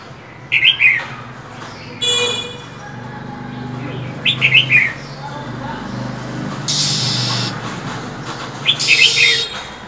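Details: Female than songbird in cold winter calling continuously: clusters of three or four quick high chirps repeated every few seconds, alternating with long breathy hisses.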